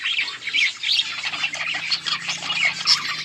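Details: On August 20, 2024, several yellow budgies warble and chirp continuously, a steady mesh of scratchy, twittering notes with brief sharp squeaks scattered throughout.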